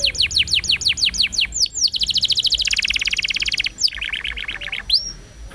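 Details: Roll song of a canary used to tutor young canaries. Quick falling whistles lead into a fast, dense rolling trill, then slower downward sweeps and a final high rising note.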